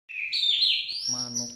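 Orange-headed thrush giving one long, slurred, high whistle that wavers and climbs over about a second; a low human voice cuts in near the end.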